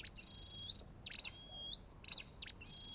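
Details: Short burst of Olive-backed tailorbird calling: long thin whistles that rise at the end, broken by sharp, bright chip notes.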